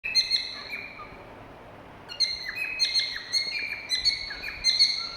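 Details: Cockatiel whistling: bursts of bright, high chirps and short whistled notes with rising and falling slides, a brief burst at the start, a pause, then steady chirping phrases.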